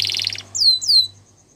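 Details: Gloster canary in training song: a brief pulsed buzzy phrase, then two clear falling whistled sweeps and silence.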